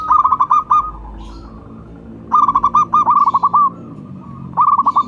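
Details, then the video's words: Zebra dove of a local strain, said to sing often, calling as a lure. It gives three bursts of quick, bubbling coo notes, each burst about half a second to a second long, with quiet pauses between them. "Perkutut lokal gacor jawara pikat dan pancingan nada suara panggilan"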